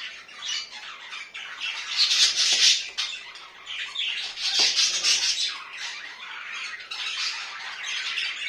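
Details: Pet budgerigars kept at home, giving continuous high, scratchy chatter with squawky bursts that swell and fade every couple of seconds.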